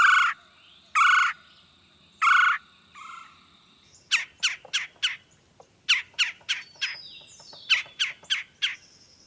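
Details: Red-bellied Woodpecker, backyard bird: three rolling churr calls spaced about a second apart, a softer fourth, then a run of sharp clicking chuck notes in irregular bursts, like drumming, across the final five seconds.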